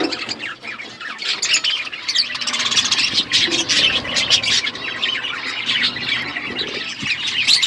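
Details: Several budgerigar parakeets chirping as they feed, a continuous busy chatter of high squeaks, trills and warbling notes from many birds at once.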